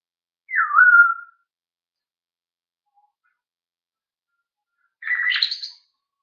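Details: Talking parrot, 1 June 2013: a clear whistle sliding down, a long pause, then a harsh rising squawk.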